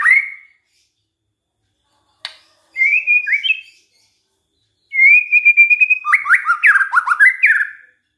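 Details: Shama lure recording meant to make other white-rumped shamas sing: scattered whistled phrases separated by pauses, with a short click, then a long steady whistle that breaks into a rapid, varied warble.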